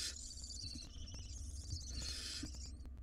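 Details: Barn owl nestlings, wild, in a nest box contesting a large rodent; continuous harsh hissing screeches that waver and overlap, with faint clicks and a low hum underneath.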